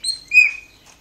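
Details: Owned Chopi blackbird, coaxed by its owner to sing, gives a single bright whistled note that rings briefly then fades, with a faint softer chirp just before it.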